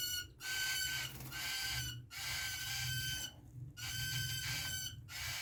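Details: A three-day-old cockatiel chick gives harsh, raspy calls in drawn-out bursts with brief pauses between.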